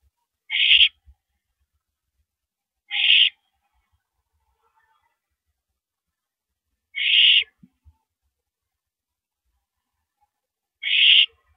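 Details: Owl heard during a mouse delivery at 9:17 PM on April 13, 2012: four short, harsh hissing screams repeated every three to four seconds, with soft knocks and near silence between.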